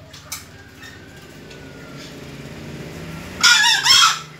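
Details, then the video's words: A young junglefowl crowing for the first time: after a quiet stretch with faint tones, a loud, harsh, hoarse crow arrives near the end in two broken bursts of under a second each. "suara anak ayam hutan pertama kali berkokok"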